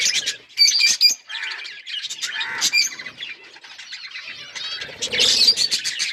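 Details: Pet budgies chirping happily: varied warbling chatter with quick whistled notes and clicks, rising and falling in loudness, and a burst of louder chatter near the end.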